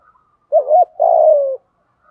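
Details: Single 'thúc gù' phrase from a spotted dove, used to stimulate other doves: a brief wavering note rising and dipping, then a sustained mellow coo slowly falling in pitch.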